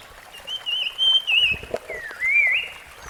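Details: In the wild, a rusty-fronted barwing sings long, warbling whistled phrases that rise and fall, two drawn-out strands separated by a brief dip, with faint stream noise below.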